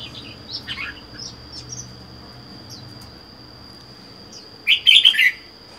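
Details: Wild-caught Red-whiskered bulbul kept alone in a cage for four months: scattered faint high chirps, then a loud, quick phrase of bubbly warbled notes near the end, over a steady high whine.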